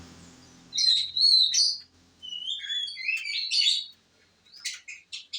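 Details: Canary delivering a varied, loud song: piercing high whistled phrases, rapid trills, and slurred notes that rise and fall, ending in a series of short, clipped chirps separated by brief pauses; faint low hum at the start.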